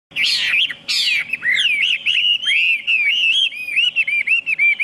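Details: Chinese hwamei singing loudly: two harsh, broadband rasping bursts, then a run of rich, looping whistled notes that rise and fall without a pause; a steady faint hum sits underneath.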